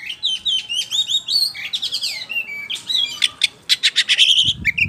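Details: White-rumped shama, a caged songbird, in loud continuous song used as a lure to make other birds answer: rapid varied whistles, sweeping slurred notes and dense repeated chattering phrases with no pause, ending in a brief low thump.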